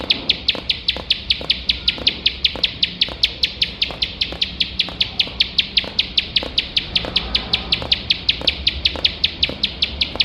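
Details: Energetic nonstop song of a bar-winged prinia for competition-bird training: sharp high chips repeated quickly and evenly, roughly five per second, in 'nembak' firing style, with faint background noise.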